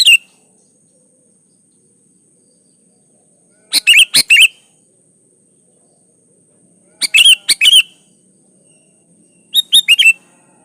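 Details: Kutilang, the sooty-headed bulbul, singing a lure song to draw other bulbuls into singing: short bubbly phrases of three or four sharp squeaky notes with slurred whistled ends, repeated every three seconds or so, over a steady high hiss.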